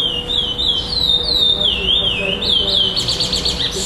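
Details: Chestnut-bellied seed finch (curió) singing in the 'preto clássico' style without repetition at a Florianópolis, Brazil singing tournament on 11 December 2011, placed second. Clear, high whistled notes slide up and down in a flowing phrase, ending in a rapid buzzy series. A steady low hum runs beneath.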